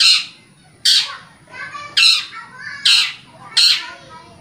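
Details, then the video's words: Long-tailed shrike in lively, vocal form, played to stimulate caged shrikes to sing: five harsh, rasping squawks, each loud and abrupt then fading, spaced roughly a second apart. "Suara Cendet Gacor"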